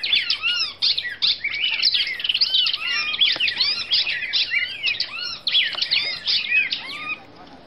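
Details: Brazilian female red-crested cardinal delivering a busy warbled song of curved whistles and sharp chirps, nearly unbroken, fading out in the final half second.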